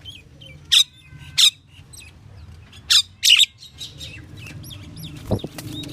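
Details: Pied myna giving a varied run of calls: four loud, harsh broadband squawks spaced about a second apart, with fainter chirps and whistled notes between them. Quiet background.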